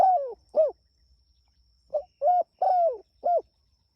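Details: Spotted dove calling to its companions, starting mid-phrase with a falling long coo and a short one, then after a quiet gap a full phrase of four mellow coos, the third stretched and dropping.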